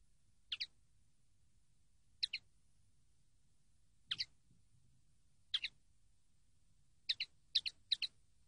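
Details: Common linnet from a training recording, sparse sharp double chirps spread over several seconds, closer together near the end, with faint low background hiss.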